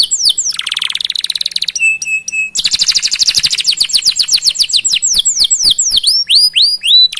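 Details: Canary singing a long chattering song used as a tutor to prompt other canaries to sing: descending whistled sweeps, a fast buzzy trill, steady flat notes, then rapid repeated downslurred chirps about four per second.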